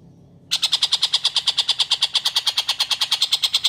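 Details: Lively long-tailed shrike on a clear tutor recording for magpie-robins: after a half-second of quiet, a sudden fast, steady stream of coarse, buzzy notes, several per second, continuing to the end.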